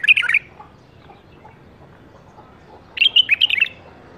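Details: Bulbul bred in captivity in the 2018 season gives two brief bursts of rapid, chattering, warbled notes about three seconds apart, with a quiet pause between them.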